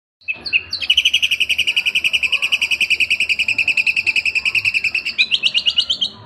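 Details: A 7-month-old juvenile white-rumped shama chatters a fast, steady stream of bright, high notes, about eight a second, rising slightly higher near the end.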